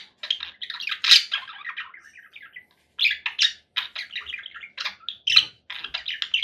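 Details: Conure parakeet chatter in two bouts: harsh, buzzy squawks with a loud screech early, a short pause, then more rapid grating calls.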